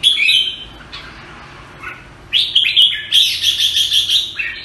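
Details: A jambul, or red-whiskered bulbul, from Singapore opens with a quick chirpy phrase, falls quiet, then delivers a loud rolling string of rapid liquid whistles of even pitch, ending with a downslurred note.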